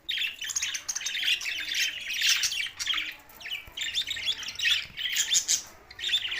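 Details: Budgerigars in Larkana, Sindh, June 7, 2024, giving harsh, scratchy squawks mixed with quick chirps, a busy wall of high chatter with short dips in loudness.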